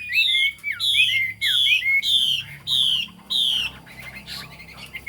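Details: Chinese hwamei singing: loud, clear whistled phrases that slide downward, repeated about every 0.6 seconds in six even bursts, then softer, broken notes toward the end.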